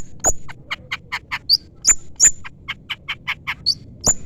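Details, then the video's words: Long-tailed shrike chirping to call a rival: a brisk string of short buzzy chips interspersed with sharp high whistled flicks and clicks. "pancingan cendet gacor full isian CUITAN MEMANGGIL LAWAN"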